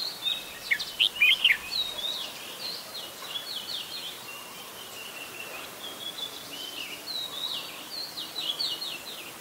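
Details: Red-whiskered Bulbul, an adult, in Ubon Ratchathani, Thailand, 16 December 2020: lively, chattering strings of short whistled notes, louder and bubbly at first, then a run of rapid rising and falling phrases over constant background hiss.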